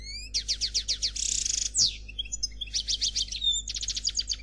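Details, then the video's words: Black Khalwi goldfinch giving a flawless song of rapid, sharp, high chirps in runs, a buzzy trill, a downslurred note, then more quick bright twittering phrases. "Chardonneret Noir Khalwi Chant sans fautes"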